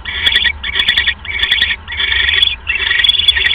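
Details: Owl at its nest during the evening's second mouse delivery, New Year's Day 2015. A fast series of harsh, breathy screeches, each about half a second, with sharp clicks between.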